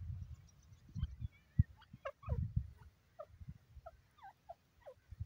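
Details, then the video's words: Teetar francolin giving a run of short, clipped, upslurred call notes in quick irregular bursts, some doubled, over a steady low rumble and intermittent knocks. "teetar kee aavaaz"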